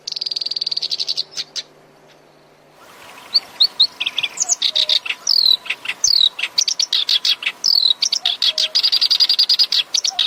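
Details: Black-browed reed warbler song used to tutor songbirds: a sustained buzzy trill, a brief pause, then a lively jumble of sharp slurred notes, chips and grating trills.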